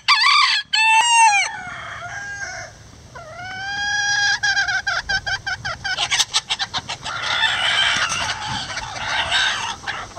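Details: Bantam roosters give two harsh, stretched crows with a falling end, then a Mille Fleur mix bantam hen follows with a quick run of short, clipped clucks.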